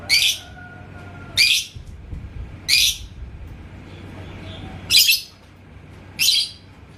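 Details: Yellow lovebird (labet koneng) in Indonesia, singing against a rival's song: five loud, raspy high bursts spaced one to two seconds apart, with quiet gaps between.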